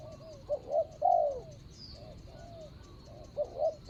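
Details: Spotted dove used in ground-level decoy trapping, recorded 24/01/65 (Thai calendar) while tracking a wild target bird with a fine voice; low hollow coos in short phrases, a stuttered double note then a longer falling coo, some faint chirps above.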